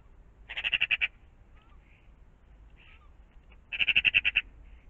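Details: Magpies around a pond in the morning: two bursts of harsh, rapidly pulsed chattering, about six clipped notes each, separated by a quiet gap with faint soft notes and low background rumble.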